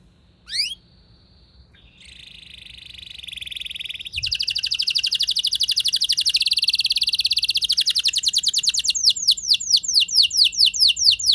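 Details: Canary rolling song played to trigger other canaries to sing. A quick rising note comes first, followed by soft buzzy trills. These build into a loud, fast, rattling roll, which ends in repeated swooping whistles.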